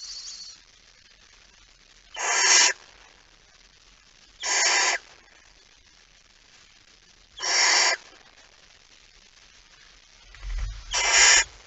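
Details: Barn owl, late night on 17 September 2019, male delivering a mouse: four evenly spaced, breathy hissing screeches roughly every two and a half seconds, the last followed by a low bump and a double burst.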